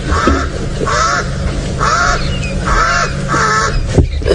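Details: A crow, considered a pest in the reserve, gives five harsh, hoarse caws in steady succession over a low engine hum on a sunrise game drive at 7:14 AM, 28 August 2017, in Sabi Sand, South Africa, near nervous hyenas.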